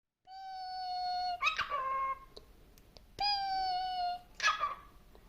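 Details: A pet cockatiel at playtime during peekaboo gives two drawn-out, steady notes, each breaking into a harsh, scratchy burst.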